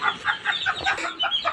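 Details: A six-month-old rooster that has just begun to crow gives a short, hoarse, broken crow in several choppy bursts.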